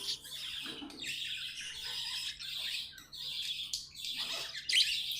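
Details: Budgerigars kept as pets give a steady, rasping high warble in long overlapping phrases, with a sharper squeak near the end.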